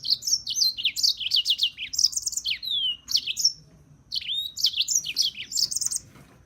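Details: Rapid, sizzling European serin song, high jingling notes packed tightly, a drawn-out falling whistle midway, then another dense burst before fading.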